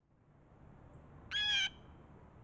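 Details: Angry Blue Jay at a frozen-over birdbath during freezing weather in Raleigh, North Carolina, giving one harsh, nasal, raspy jeer lasting about a third of a second against a quiet background.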